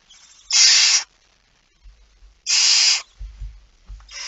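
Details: Barn owl at the nest while feeding, early morning of 19 September 2019 at 05:28. Two loud, noisy hissing screeches about half a second each, then soft low bumps and the start of a third hiss.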